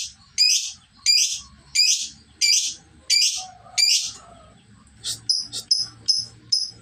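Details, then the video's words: Lovebird learning the ngekek trill: loud harsh chips repeated about every 0.7 seconds, followed by quicker, thinner high notes. "burung love bird belajar ngekek durasi mulai panjang"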